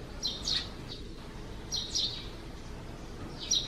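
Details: Eurasian tree sparrow at its nest under the eaves on a cloudy June morning, giving a few paired high chirps with pauses of over a second between groups, against faint background noise.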